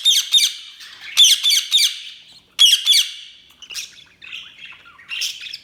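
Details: Budgerigar chirps come in harsh clustered bursts, then give way to softer, thinner warbles and a final squeaky note.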